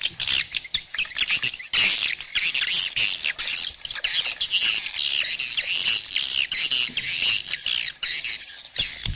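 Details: A loud swiftlet colony chorus of shrill squawking chirps and buzzy twitters, densely overlapping, broken by frequent clicks throughout.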